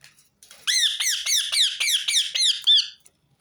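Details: Repeated rose-ringed parakeet call used to set other birds singing: a fast, even series of about nine shrill, rasping screeches, each sliding down then up, ending in one longer squawk.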